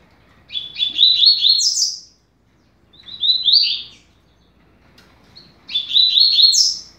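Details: Double-collared seedeater (coleiro) in 'rápido de bico' song for teaching young birds: three rapid, high twittering phrases, the middle one shorter, the outer ones finishing with a sharp rising flourish.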